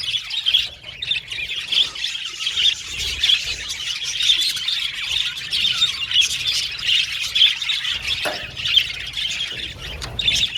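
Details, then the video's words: A group of budgies chattering, singing and calling to each other, a constant high twittering mixed with sharper squawk-like notes, with one louder harsh burst near the end. "Budgies Chirping Sound"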